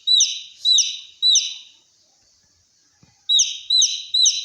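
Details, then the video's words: Baby chick giving loud, piercing descending peeps, likened to a fire alarm: three sharp notes in quick succession, a pause of over a second, then three more. "Baby chick sounds like a fire alarm"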